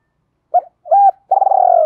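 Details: Training-lure spotted dove in the thổ pha đồng voice: a short opening note, a steady held coo, then a long vibrating coo gliding gradually lower, cut off abruptly.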